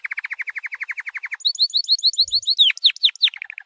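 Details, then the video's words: White canary singing a training song: a fast run of rapid, even downslurred notes, then higher swept whistles repeated in series, ending in sharp descending slurs and a short buzzy trill. "White Canary 12h Singing - The Best Training Song"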